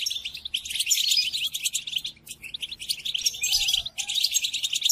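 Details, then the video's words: Captive-training recording of European goldfinch song, meant for caged goldfinches to learn from: fast liquid twitters, trills and scratchy buzzes run together in long busy phrases, with a short break near the middle. "قدم هذه الآصوات لطائرك الحسون وشاهد ماذا يفعل Chardonneret"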